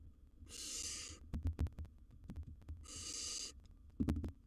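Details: Wild barn owl chick in a nest box handling a large gerbil: a pair of drawn-out hissing screams separated by clusters of sharp knocks and thuds.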